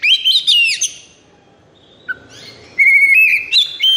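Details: Kacer in high breeding condition, a 'konslet' tutor song for sulking birds; a burst of rich warbled whistles, a pause with a single low note, then steady high whistled notes with buzzy overtones.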